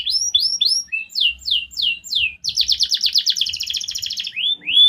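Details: Canary singing: a run of sweeping downward whistled notes, then a fast rolling trill of rapid repeated notes, ending with rising slurred whistles; faint low rumbling in the background.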